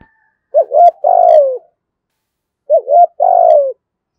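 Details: Decoy spotted dove sung in the 'giọng thổ' style to lure wild doves; two identical low phrases about two seconds apart, each with quick rising notes and a long burry descending coo.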